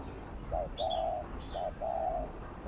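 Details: Spotted dove giving 'gù' (bo) cooing, used to stir decoy and newly caught doves into calling: low, soft coos in pairs, a short note then a longer drawn-out one, the pair repeated about every second, with faint higher chirps behind.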